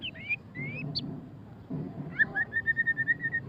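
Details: Ngeriwik-style singing from a white-rumped shama (murai batu pastol): a few gliding whistles, then a quick run of about ten evenly spaced, repeated chipping notes, over low background hum.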